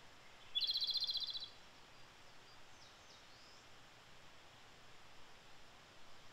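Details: Japanese robin in the wild in Japan, early May, delivering one loud rapid trilled phrase of about a second, a fast even rattle, followed by quiet faint notes over steady background hiss.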